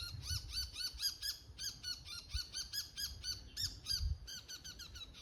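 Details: Autumn dawn at Showa no Mori in Chiba City, Japan: a bull-headed shrike gives its 'takanaki' territorial declaration. Piercing squeaky 'kii' notes come in quick runs with brief pauses, and faint low rumble sits underneath.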